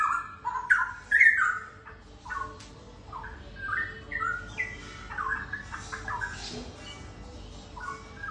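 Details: Straw-headed Bulbul, a young wild-caught pair held captive, DNA-tested as male and female, singing rich, loud warbled phrases of liquid whistles that leap up and slide down, with short pauses between bursts.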